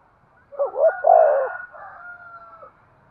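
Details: A spotted dove's coo, a call said to stimulate breeding: rapid husky notes building to a full, rounded coo, then a thin, steady, sustained tone lasting about a second before fading.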